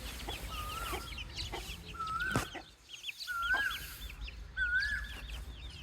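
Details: Baby chicks peep: drawn-out clear whistles rising slightly then falling, repeated about every second, mixed with faint high chirps and a few loud thumps.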